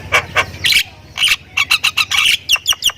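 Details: Javan myna, Thai type, in full-fill song for use as a training master: a few low-pitched chuckles, then a hissing burst and a quickening series of sharp chirped and squawked notes over faint background rumble.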